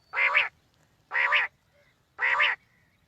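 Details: Quail calls used to lure quail on morning hunts: three loud, nasal, buzzy notes with rich harmonics, each about 0.4 seconds long and spaced about a second apart.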